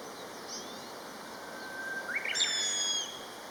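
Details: A pair of common buzzards calling to each other; one thin, high, drawn-out whistled peee with a slight slide, lasting under a second, over a steady background hiss.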